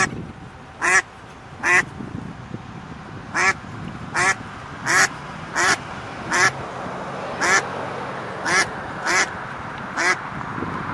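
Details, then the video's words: Ducks on a pond with their ducklings: around thirteen short, rasping quacks in an irregular run across eleven seconds, set against a steady hiss and low rumble. "The sound of ducks - ducklings in the pond - swimming ducks"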